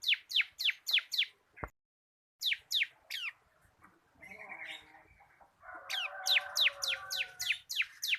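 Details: Caged local bar-winged prinia, kristal kapas type, singing ngebren-style as tutor song: bursts of sharp descending whistled sweeps, roughly four per second, a click, a pause, a lower scratchy warble, then a dense run of sweeps over buzzy chatter.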